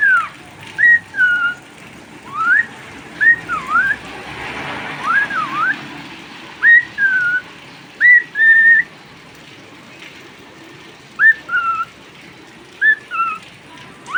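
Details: Caged pet cockatiel whistling in the rain: short upswept and down-slurred whistles in pairs and small groups, separated by pauses of a second or more, with continuous rain noise swelling midway.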